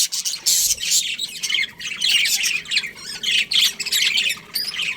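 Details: Colony of budgerigars with a breeding pair, chirping in bursts; loud scratchy squawks and warbling chatter come in clustered pulses about every half second to second.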